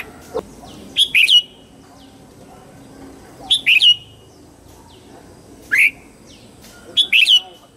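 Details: Red-whiskered bulbul singing in the morning, a song meant for training young white-cheeked birds: four short chirpy warbled phrases, each a few quick slurred notes, spaced roughly two seconds apart.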